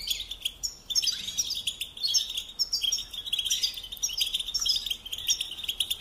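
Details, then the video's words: European goldfinch song used for training young birds to sing: a rapid, continuous twittering of high, bright chirps and trills, with denser bursts about every second and scratchy overtones throughout. "Teaching Singing Lessons Through Goldfinch Motives"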